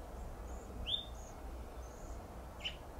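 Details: A male house finch on a flowering plum tree in Pacific Grove, California gives two short, bright contact cheeps about two seconds apart, the first sharply inflected, over a steady low rumble with faint chirps behind.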